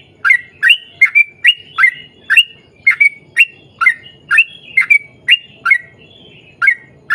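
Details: Lively 'gacor' Sooty-headed bulbul song in the long rapid 'ropel' style, used as a lure; clear, bubbly chirped notes repeat briskly and fairly evenly about twice a second, with one short pause.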